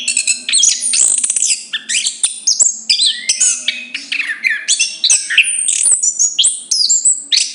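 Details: Chestnut-capped thrush singing a dense, rapid medley of high whistled and buzzy phrases, sliding notes and chirps, nearly continuous for over seven seconds with brief gaps, a faint low hum beneath.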